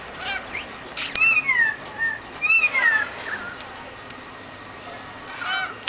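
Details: Unidentified bird in the eucalyptus forest of the Blue Mountains, Australia: two clear whistled notes, each sliding downward, about a second apart, with faint chirps before and after.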